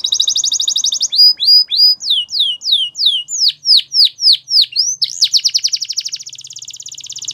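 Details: A bright canary song: a quick high trill, then a chain of loud swooping down-slurred whistles, then a fast rolling trill that fades into a fine buzzy ending.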